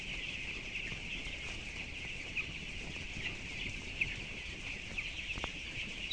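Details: Broiler chicks at 12 days, 423 grams, housed in a 7,000-bird closed house, filling the air with a steady high twittering chorus; soft clicks and a faint low hum underneath.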